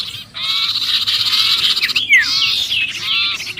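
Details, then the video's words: Sirpu trapped-style distress call for luring birds: sustained rough buzzing chatter with one clear descending whistle near the middle and faint curved notes at the end. "suara pikat sirpu Ribut kejepit"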